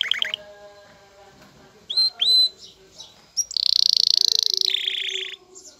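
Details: Aroused male canary with a female: soft opening chips, two loud rising whistled notes, then a strong high buzzy trill falling to a lower roll, over a faint steady hum.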